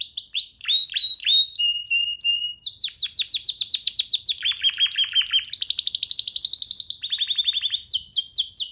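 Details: Young canary perched on a hand, free of any cage, singing a varied song: whistled upslurs, a steady flat tone, then fast rattling trills switching between higher and lower tours.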